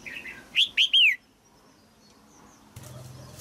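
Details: Female red-whiskered bulbul in a cage, singing to stimulate a mature male; one short phrase of three loud whistled notes, the final one sliding downward, followed by quiet and a low hum near the end.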